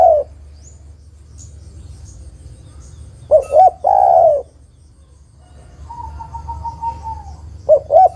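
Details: Female spotted dove calling for the male: one full two-short-one-long coo phrase midway, a separate thin wavering whistle afterwards, and the start of another coo phrase at the end.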